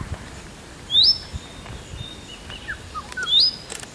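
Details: Indian robin calling: two loud, clear rising whistled notes about two and a half seconds apart, each sweeping upward, with a few fainter short notes between them over quiet background hiss.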